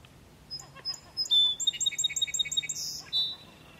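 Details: Song sparrow singing near three Border Terriers. It gives scattered sharp introductory notes, then a fast, ringing trill of high repeated syllables and a brief buzzy close.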